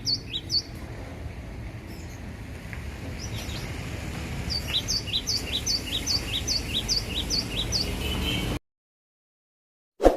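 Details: Caged cinereous tit from Aceh, kept hanging at home and singing actively: a high whistled two-note phrase repeated briskly, roughly two to three times per second, over steady low rumble; the sound drops to silence near the end.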